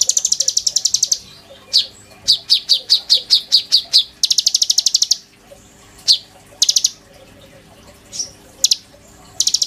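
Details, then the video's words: Oriental magpie-robin singing steadily with borrowed phrases, used as a master song for training kolibri ninja birds: buzzy high trills alternate with strings of clipped repeated notes and scattered single chirps. "PANCINGAN KONIN GACOR FULL NEMBAK ISIAN TONJOLAN MEWAH, COCOK BUAT MASTERAN KOLIBRI NINJA BAHAN"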